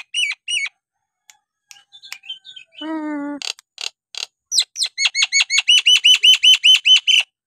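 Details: Energetic Nias hill myna song meant to provoke reluctant birds to sing: scattered clear notes and a low, buzzy drawn-out tone, then a steady train of about fourteen loud, bright, hooked notes at an even fast pace.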